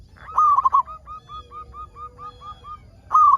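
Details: Local zebra dove in active song, used to prompt other zebra doves to sing; one loud broken cooing phrase, then about ten soft, evenly spaced coos, then a second loud phrase beginning.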